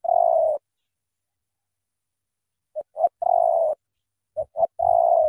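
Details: Spotted dove from Cà Mau with a powerful voice, cooing in the thổ tơ style. A long, trembling low coo is followed by two short coos and another long buzzy coo, with silent gaps between.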